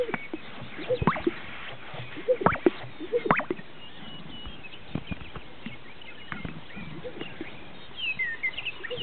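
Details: Greater sage-grouse on a lek in northern Utah, displaying with quick bursts of loud pops and soft gulping notes in the first four seconds, then quieter scattered pops and faint high bird calls.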